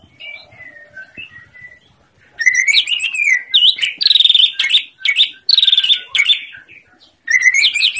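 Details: Greater green leafbird singing as a master recording for silent birds: faint whistles give way to long, loud sequences of rapid trills, rattles and swooping whistled notes.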